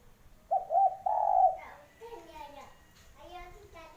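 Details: Low, mellow coos from a spotted dove: a short stuttered note, then a longer steady coo. A child's voice speaks right after the call.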